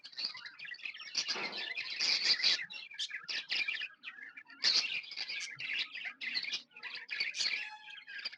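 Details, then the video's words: Several happy pet budgies keep up busy, continuous chatter of squeaky, buzzy chirps and short warbled notes, with louder bursts rising out of the steady flow. "Happy budgies chirping sounds"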